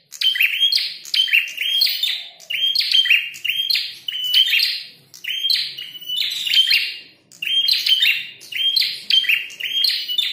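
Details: Prinia with a red head, fighting and in full voice, pours out steady repeated bursts of high, rasping chirps, roughly one phrase per second, each topped by a thin whistled note.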